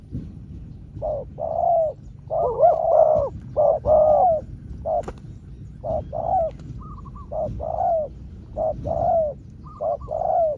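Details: Spotted dove trading calls with a wild rival dove in a drawn-out contest: repeated low hooting coo phrases, each a short note followed by longer throaty notes, with a thinner higher coo from another dove answering between phrases over faint background rumble.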